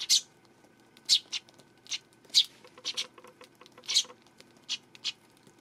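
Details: On 12 September a Eurasian tree sparrow chirps repeatedly, loud high notes coming singly or in quick pairs about every half second to second, with a faint low ticking in the background.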